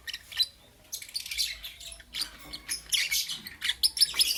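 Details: Morning lovebird chirping: after a brief lull, bursts of harsh, high squeaky chirps and thin whistled notes, uneven and overlapping, growing busier toward the end.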